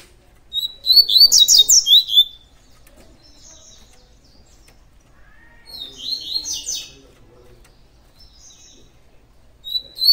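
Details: Double-collared seedeater singing the tui tui song style: a rapid burst of high, sharp chirped and slurred notes lasting over a second, then a shorter phrase near six seconds and a final fragment at the end.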